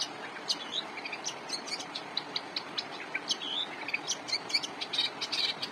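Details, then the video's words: Long-tailed shrike song used as a master song for training cage birds: rapid high chirps and short whistled notes, repeated in quick irregular bursts over a steady hiss. "Pentet gacor cocok buat masteran jagoan kalian"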